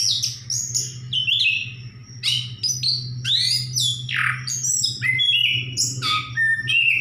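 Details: Orange-headed thrush delivering a dense, varied song of high whistles, downslurred sweeps and quick chatters, accompanied by a steady low electrical hum.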